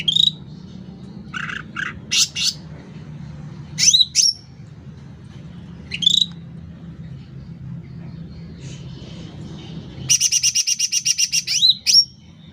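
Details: Lively sooty-headed bulbul singing loudly: scattered clear rising whistles with hooked ends, some brief lower chirps, then a rapid run of about ten high repeated notes and a final upslurred whistle, with faint low background hum.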